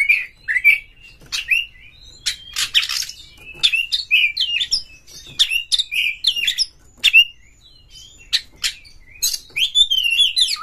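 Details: Oriental magpie-robin in a cage pouring out a long, continuous song of quick whistled slurs, trills and harsh scratchy notes, meant to trigger rival magpie-robins to sing and fight.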